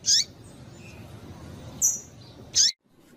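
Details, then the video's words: Female double-collared seedeater giving calls that stimulate males: three brief high chirps, the first and last loudest, with a thin whistle between, then a sudden cut to near silence. "Piado de Fêmea de Papa capim para Esquentar Papacapim"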